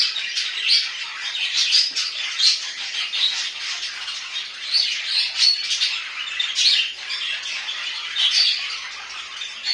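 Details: Pet budgies warble for nearly ten seconds indoors: a busy, scratchy chatter of rapid chirps, squeaks and clicks that pulses in loudness about twice a second without falling silent.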